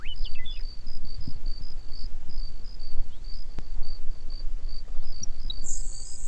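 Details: Grasshopper Sparrow singing on the Point Sal Trail near Orcutt on a foggy summer outing: a few thin opening chips, then a long, high, insect-like buzzing trill ending in a higher hiss, over a low background rumble.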